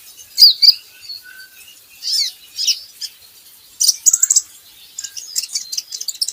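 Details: Van Hasselt's sunbird training recording for getting birds to sing: high, thin squeaky phrases and twitters, then a rapid run of sharp ticking chirps.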